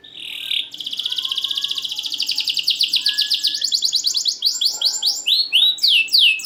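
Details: Caged canary, described as a champion singer with short gaps between phrases and a loud voice, used as a lure for lazy singers: a fast trill of rapid notes, then loud downward-sweeping whistled notes in a quickening series.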